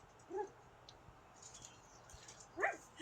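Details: Female pet Amazon parrot indoors at home, having a good day: two short tonal squeaks, the first soft and the second louder with a rising, whining edge, separated by quiet room noise.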